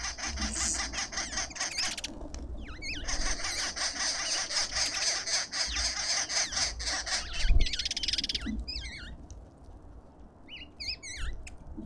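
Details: Lovebirds in a suburban garden in Pretoria, South Africa, at a feeder: long, dense, grating chatter, then several sharp wavering squeaks toward the end; a brief thump midway.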